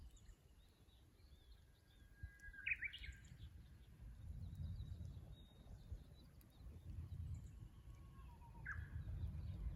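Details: Japanese bush warbler recorded from a fixed camera at the Kusu tank road, Japan, 24 April 2025; a sharp rising flourish early on, later a short whistle and flourish, set against steady low rumble.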